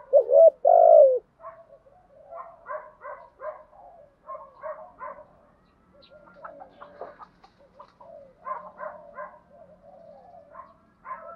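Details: Decoy spotted dove calling to entice wild doves: a loud low coo opens, followed by a long run of softer, rapidly repeated muffled notes.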